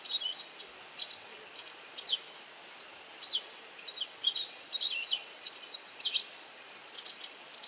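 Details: White wagtail giving call notes as it feeds on insects: quick, thin, high chirps, singly and in tight pairs, repeated steadily with short pauses, over faint steady hiss.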